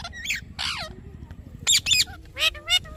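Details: Parrot calls: harsh squawky notes and short wavering chirps, ending in a few sharp, loud bursts close together.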